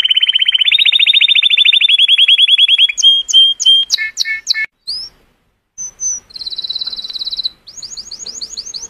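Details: Colour canary singing to stimulate females: a long run of rapid rising high notes, then clipped whistles and buzzy bursts, a short pause, a fast metallic trill and quick sweeping upslurred notes.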